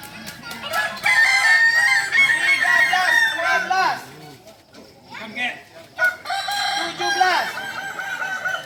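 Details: Solok's native Kukuak Balenggek singing chickens in crowing performance training; long, loud crows of rapid, repeated curved syllables, in two bursts separated by a brief quieter gap.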